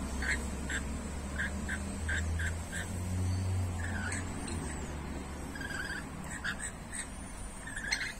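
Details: Two rainbow lorikeets quarrel while being fed grapes, giving short harsh squawks repeated in quick bursts over a steady low engine-like hum.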